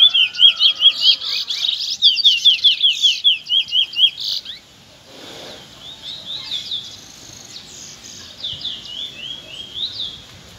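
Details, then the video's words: Trinidad bullfinch youngster in afternoon song: a rapid, even string of high, clear whistled notes for around four seconds, followed by softer, slower phrases at a distance. "afternoon close shy (trinidad bullfinch)"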